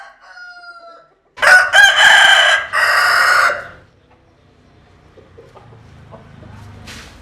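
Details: Rooster crowing: a faint distant crow first, then a loud nearby cock-a-doodle-doo in stuttering opening syllables and a long drawn-out final note, followed by quiet background.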